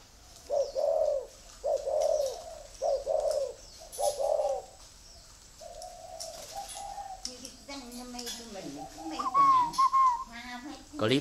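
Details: Spotted dove with grey legs and red eyes, kept at a dove farm in Ba Vì, Hanoi, Vietnam, singing in the 'thổ' voice style: four low mellow coo phrases about a second apart, followed by rustling, handling noise and a higher chirp.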